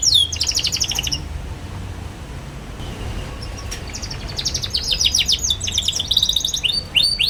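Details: Young canary song meant as a lure for teaching other young canaries: fast trilled bursts at the start, a quiet gap with background hum, then rapid high chirps and sweeping whistles building toward the end.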